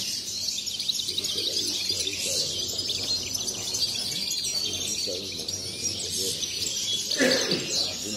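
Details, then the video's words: Goldfinches in cages at a singing contest held by a bird society in Sant Joan Despí (Las Planas, Barcelona), 23 November 2019. Bright, fast twittering phrases come from several birds at once, with a low hall murmur and a brief thud. "CONCURSO 🎥 SOCIEDAD PAJARIL SANT JOAN DESPÍ 23/11/19. JILGUEROS 1A PARTE"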